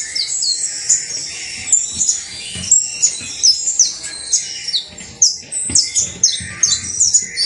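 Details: High, thin chirps and slurred whistles from a singing saffron finch (canario basto criollo), given in irregular bursts with some low background noise.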